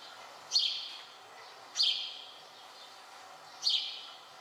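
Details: Male house sparrow chirping in the breeding season, insistent especially during courtship, on the Otago Peninsula, New Zealand: three bright, slightly downslurred chirps at an uneven pace over a faint hiss.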